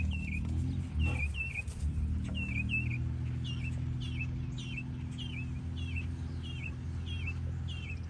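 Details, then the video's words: Meadowlark in a field: clear, short slurred notes dropping in pitch, repeated about every two-thirds of a second over a strong, steady low rumble. "Meadowlark in a field"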